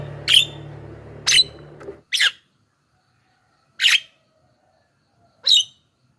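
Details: Javan myna song used as a lure to call wild mynas: five short, sharp, harsh bursts spaced over six seconds with a brief low hum at the start.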